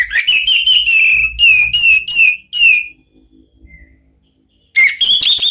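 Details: Ngeplong-style song of an Orange-headed thrush: a string of five loud, ringing whistled phrases repeated at an even pace, a quiet gap with faint low rustling, then a new rising whistled phrase.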